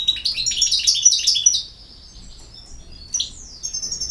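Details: European goldfinch delivering a rapid, tinkling twitter that fades out, then after a gap a single sharp, downslurred note and thin high chips.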